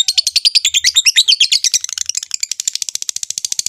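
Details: Rosy-faced and Fischer's lovebirds make a breeding-stimulation mating sound: tangled, excited high chirping that settles into quicker, thinner, evenly spaced twittering in the second half.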